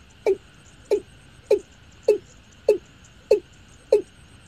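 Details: Watercock (Gallicrex cinerea) call, used as a lure for night netting: seven deep, hollow, slightly falling notes, evenly spaced about every two-thirds of a second, over a steady high hum.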